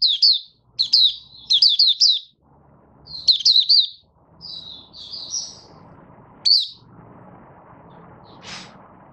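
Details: Oriental white-eye from Malaysia, a kept songbird being brought into form, singing its opening song in short bursts of high twittering, slurred notes, with pauses and a soft low background hum.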